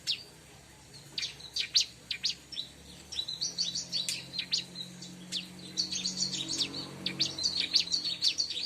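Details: Bar-winged prinia, played to lure birds: scattered thin, high chirps building into a busy, continuous run of rapid twittering notes toward the end.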